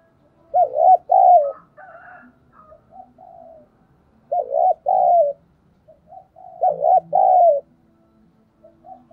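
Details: ['Lure spotted dove calling to draw wild doves into cooing: three rounds of low two-part coos, each a quavering note then a longer one, followed by softer trailing murmurs, repeated roughly every three seconds.']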